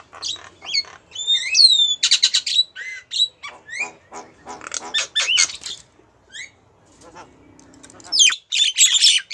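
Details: Female Javan myna calling to a male: a varied run of sharp whistled notes, rising and falling slurs and harsh buzzy bursts, with a short low hum near the end before loud rasping chatter resumes.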